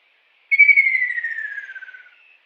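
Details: Wild kingfisher singing: one loud, finely pulsed whistle that starts high and slides steadily downward for about one and a half seconds, fading away at the end, with no other sounds.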